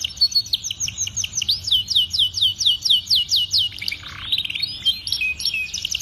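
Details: Master song of a canary for tutoring young canaries, featuring prized phrasing: fast rolling trills of high descending notes, several per second, shifting into a buzzy burst and varied chattering phrases.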